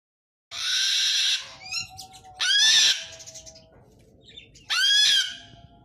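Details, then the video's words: An umbrella cockatoo gives three loud, harsh, raspy screeches, each about half a second to a second long, spaced roughly two seconds apart, with softer squawks between. "suara burung kakaktua putih"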